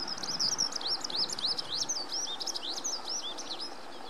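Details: Eurasian skylark singing from a post in Noda, Japan, on 4 June 2014: a rapid, unbroken stream of high, twittering and trilled notes, varied and restless, over a faint low outdoor rumble.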